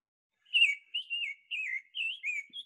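Summer Tanager song: five short, slurred, robin-like phrases, moderately burry, each rising and falling, delivered quickly in about two seconds.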